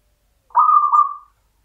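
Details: A single loud, rolling coo from a local zebra dove, a champion in the Mataram rhythm style, held for under a second and then fading smoothly, with silence around it.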